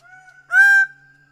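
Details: Single loud, brassy honk from a Greater bird-of-paradise, lasting about a third of a second, with a soft held tone before and after.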